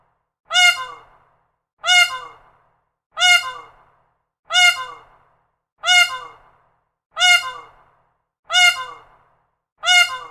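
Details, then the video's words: A peacock gives eight loud, nasal, wailing calls, each a brassy squawk repeated about every 1.3 seconds at an even pace, with nothing else heard. "Peacock bird call. A single, high-pitched bird call. Calling and squawking from a peacock."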